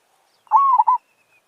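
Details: One zebra dove phrase recorded while trapping with a decoy: a mellow rising coo held briefly, then two quick rounded notes, clear against near silence.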